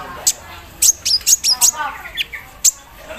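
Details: Morning song of a caged Javan sunbird set out in the dew, with an embroidery-machine imitation fill: bursts of piercing high chips and short scratchy mid-pitched phrases between them.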